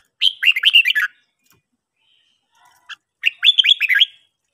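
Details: Red-whiskered bulbul morning song for training: two rich, rollicking phrases of quick rising and falling whistles, separated by a pause of about two seconds that holds one faint short note.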